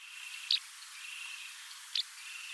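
White Wagtail giving two sharp, high, clipped calls about one and a half seconds apart, over a steady background hiss.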